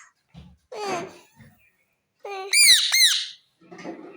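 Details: Pet ring-necked parakeet indoors with children, uttering harsh, raspy squawks: one drawn-out grating note, then two loud, buzzy, arching screeches in quick succession, and a softer scratchy sound at the end.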